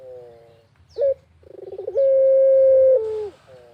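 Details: Barbary dove cooing in the countryside: a soft low coo, a sharp rising note, a quick stuttering run of pulses, then a long steady mellow coo that slides to a lower, fading tail.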